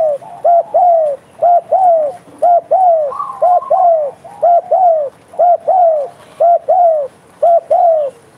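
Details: Spotted dove (derkuku), a lively caller, giving its bekur coo: short, low, slightly falling hooted notes in close pairs and triplets, repeated steadily about once a second, with a faint higher note midway.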